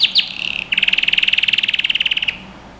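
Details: Canary song from a training recording for young birds: two quick upswept whistles, a short buzzy roll, then a fast, even trill of bright ringing notes lasting about a second and a half.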